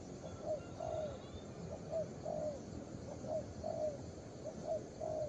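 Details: Young spotted dove giving soft low coos in uneven pairs, each longer note sliding slightly downward, about eight phrases, over a constant low background drone.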